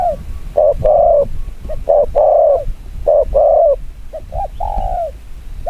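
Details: Spotted dove, known in Vietnam as chim quân tử, giving a very fast chiêu gù kích bổi cooing style: short low hoarse notes paired with longer slurred coos, in irregular bursts of two or three, about forty-seven a minute, with low background rumble.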